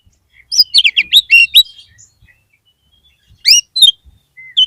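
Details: Oriental magpie-robin lure song meant to rouse a kept bird whose spirit has dropped: a quick cluster of bright, buzzy, downslurred chirps, a pause with faint twitters, then a few more loud sharp notes.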